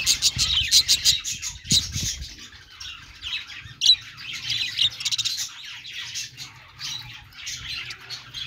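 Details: Budgies chirping in quick, sharp repeated notes and buzzy squeaks, a fast irregular chatter with a faint low hum beneath.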